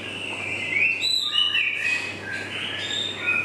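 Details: Juvenile male white-rumped shama singing: clear whistled phrases, some sliding upward and some held level, mixed with thin high notes over a steady background hiss.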